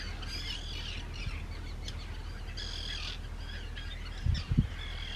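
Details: Arctic terns at a large breeding colony, Rottumerplaat, the Netherlands, 4 June 2023; scratchy, rasping calls in short bursts from several birds, with low wind rumble and a couple of thumping knocks near the end.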